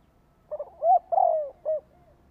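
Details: Spotted dove decoy call for luring wild birds: one phrase of two quick stuttered notes, a rising-falling coo, a long coo sliding downward, then a short closing note, with faint background hum.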